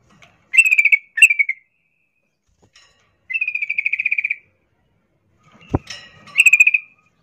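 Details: Female sooty-headed bulbul calling a male while in breeding condition, 'ngerol' chattering style: two short harsh bursts, then a steady rattling trill of evenly repeated notes, a sharp knock, and a final short rattle.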